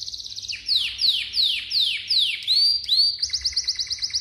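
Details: Malta canary singing: a series of clear descending slurred whistles, then rising swoops, ending in a fast high trill.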